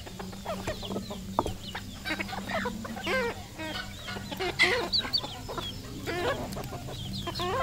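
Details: A decoy red junglefowl gives dense, rapid clucking. Nasal, wavering notes tumble one after another with few pauses, while a low droning hum runs throughout.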